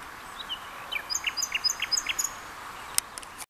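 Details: Common nightingale at Atatürk Arboretum, Istanbul, delivers a quick burst of sharp, high whistled notes and chips, run together in about a second, over a soft steady background hiss.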